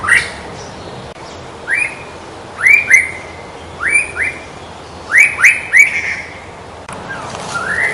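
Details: White-rumped shama in the wild singing loud, clear rising whistles, often in pairs, some ending in a held tone, with short gaps between phrases and sharp high ticks; faint background hiss.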